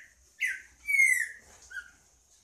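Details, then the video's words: Short burst of green-winged saltator song: a clear whistle, then a long, bright falling slur and a softer closing note. "Trinca ferro cantando"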